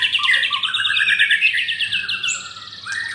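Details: Caged white-rumped shama, one of four birds kept at a bird kiosk in Kemayoran, Central Jakarta, Indonesia, singing a loud, rich run of whistled notes that slides into a fast rippling trill, then ends on a high sweeping whistle.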